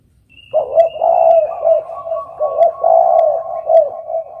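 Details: Spotted dove giving loud, low, hollow cooing notes in a continuous run of rounded, wavering phrases, with brief sharp clicks above the coos.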